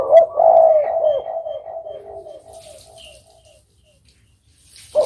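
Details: One loud, low rolling coo from a spotted dove, pulsing in short beats and fading over about three seconds, then silence before the next coo starts.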